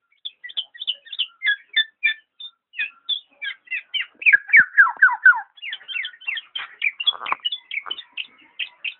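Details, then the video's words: Black-naped oriole chattering steadily with high chips, then a loud cluster of falling slurred notes at mid-clip, followed by renewed rapid twittering and a brief harsh rasp. "burung kepodang"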